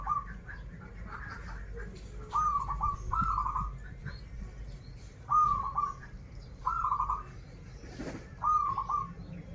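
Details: Zebra dove, local to Banten, singing 'krital' and 'warung kebek' styles: a string of about six rolling, slightly rising trilled coo phrases, some in quick pairs, over low background noise and a brief thump.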